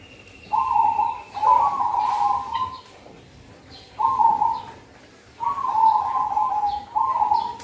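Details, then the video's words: Zebra dove singing a luring call for cold-season trapping: clear, rapidly trilled coos at a steady mid pitch, each about one to one and a half seconds, given in four phrases with short quiet gaps, background fairly clean. "Burung perkutut suara top untuk pikat dan pancingan di musim dingin || merbok kampong"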